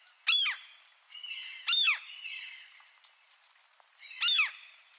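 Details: Light rain with seagulls: three loud, strident squawks roughly two seconds apart, each rising and then falling. Quieter gull calls sound in between over a gentle background hiss.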